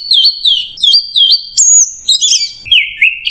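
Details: Orange-headed thrush singing in the clear stop-start style called macet jernih: loud whistled phrases that slide and loop, repeated in short bursts with brief pauses, ending on a higher thin note and a lower warbled run.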